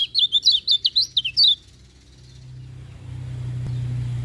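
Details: A Lemon-bellied white-eye sings in the morning: a quick phrase of high, zigzagging twittered notes lasting about one and a half seconds, followed by a rising low hum of background noise.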